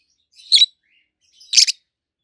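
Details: Two loud, harsh, high chirps about one second apart from a pair of adult peach-faced lovebirds, one red-faced and one with a yellowish white face, each preceded by a faint squeak.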